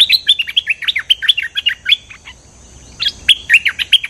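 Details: Cream-vented bulbul lure song: a quick burst of bright, falling chirps, a pause of about a second, then another energetic run of loud chirped notes.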